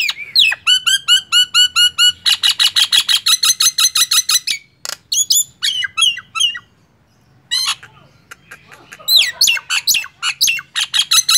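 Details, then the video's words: Energetic Nias hill myna song opening with a long fast series of repeated ringing notes, then a quiet stretch and renewed loud whistled sweeps and squawks. "SUARA JALAK NIAS"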